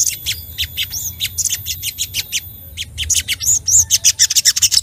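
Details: Ruby-cheeked sunbird singing in an excited, aggressive mood to provoke rivals: rapid, very high, thin chirps repeated about three to four per second, with brief twittering flourishes toward the end.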